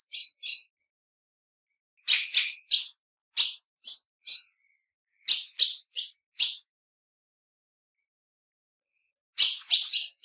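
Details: Groups of three to five sharp high chips from a female ultramarine grosbeak, bursts separated by short pauses, loudest note leading each group, in otherwise silent surroundings.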